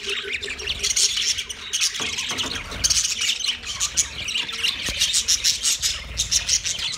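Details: Yellow male budgerigar chattering in a mating display, rapid overlapping high chirps and scratchy squawks running without break over a faint low hum.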